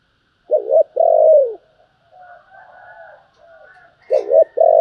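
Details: Spotted dove cooing in gáy thúc and gáy gọi styles: a doubled coo and a long falling coo, then quieter murmuring sounds and a brief higher note before the next doubled coo begins.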